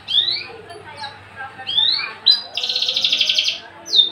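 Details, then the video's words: Javan bush lark, a tame, unringed male kept as a caged bird and described as an active singer. It gives sweeping rising and falling whistles, then a long, dense, rattling buzzy trill and a final high slurred note. "branjangan javanica MH nonring jinak galak siap jadi pejantan gacor dor"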